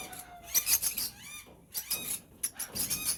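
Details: Several lovebirds, in an aviary with Fischer's lovebirds among its African birds, give sharp high squeaks and shrill chirps in quick overlapping bursts; a man's voice briefly at the start.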